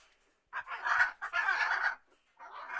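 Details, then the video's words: A macaw gives harsh, raucous squawks: a long grating burst of about a second and a half, then a shorter rasping call after a brief pause. "MACAW DIALECT"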